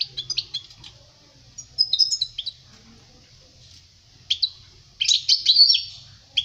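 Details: European goldfinch song used to teach young birds: quick liquid twitters and trills in separate bursts, with the loudest, densest phrase near the end.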